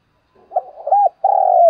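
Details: Lure spotted dove cooing in urging style: a muffled introductory hoot, a rounded arched note, then a sustained, finely throbbing coo that slowly drops in pitch.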